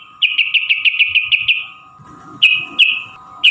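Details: Sooty-headed bulbul, a long rapid trill used to lure caged birds into singing: a run of quick, sharp repeated chips around seven notes long, then a pause and several separate clear notes, over a steady low hum.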